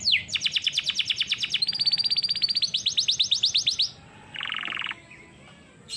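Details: Song-training canary delivering rapid repeated high trills in several shifting phrases, followed by a short buzzy burst and a pause.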